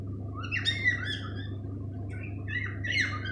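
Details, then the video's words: Male cockatiel singing indoors: a string of whistled, warbling notes that slide up and down, with bursts near the start and end, over a steady low electrical hum. "lovely song"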